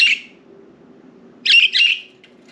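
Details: Budgies flying free outside the cage in a room, resting on window blinds; a fading chirp opens, then after a pause two raspy chirps in quick succession, with faint indoor hum throughout.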